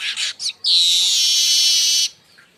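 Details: Baya weaver crecetan, used as a lure and tutor call for other birds: a few quick high chirps, then a long, steady, hissing buzzy wheeze lasting over a second.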